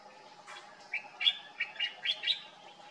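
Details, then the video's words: Common bulbul (Pycnonotus barbatus) singing in summer in Morocco, heard every morning; a short phrase of quick, chirpy notes, a low warble building into several bright, rising chirps over about two seconds, with a faint steady hum behind. "Common bulbul sound in Morocco, (Pycnonotus barbatus), bird song"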